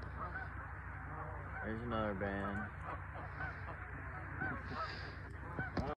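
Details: Massive gathering of around two thousand geese: a constant din of overlapping calls, with a few clear nasal honks standing out near the middle over the steady murmur of the flock.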